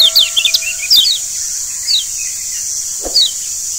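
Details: Lombok yellow white-eye (kecial kuning) used as a lure sound: thin, high whistled notes in quick little bursts with gaps between phrases, over a steady high insect hum.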